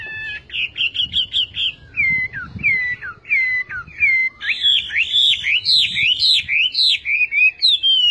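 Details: Chinese hwamei singing a varied whistled song: quick high trills, then slurred downward whistles and rising looping notes in bursts, rich and loud, with faint low rustling in the background.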